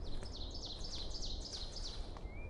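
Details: A newly arrived ovenbird sings loudly in New England woods on a sunny, windy day: a fast, ringing run of two-part 'teacher' notes, about three per second, low rumble underneath, faint thin whistle near the end.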